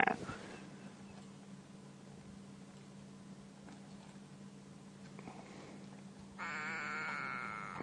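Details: A go-away bird perched just above a leopard at an impala kill hung in a tree, on a sunrise safari drive on 20 July 2016, gives a harsh, nasal, drawn-out call near the end, over a steady low engine hum and quiet rustling.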